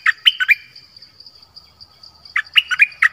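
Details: Dok Taeng bird used as a decoy in a Thai forest on 13 January 2021, calling for a mate: two clusters of quick, sharp chirps, one at the start and one near the end, over a steady high insect-like whine.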